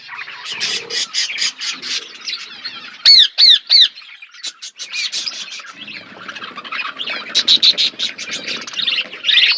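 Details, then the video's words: Feeding budgerigar flock with constant chirping chatter, broken by three loud, clear, whistled squawks in quick succession, then renewed dense twittering with some sharper high calls toward the end. "Birds chirping beautiful budgies flocks birds eating food"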